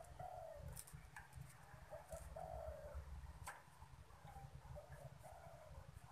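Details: Cooing of a caged spotted dove reacting to strangers: low hollow phrases, a long falling coo then a stuttered double note and another drawn-out coo, over a steady rumble with occasional clicks.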